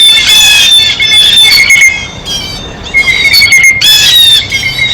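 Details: Blue jays eating at a feeder let out loud, grating jeers. The drawn-out harsh screams come in two main bouts with a quieter lull between.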